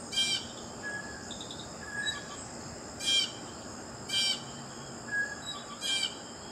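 Blue jay giving harsh, scratchy calls at uneven intervals, a few seconds apart, with faint thin whistles between and a steady high insect hiss behind.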